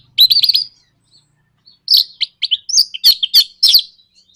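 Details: Orange-headed thrush in a fast 'nraktak konslet' lure song used to provoke other birds into singing: a quick run of bright upslurred notes, a pause, then a burst of sharp chattering phrases and high squeaky notes.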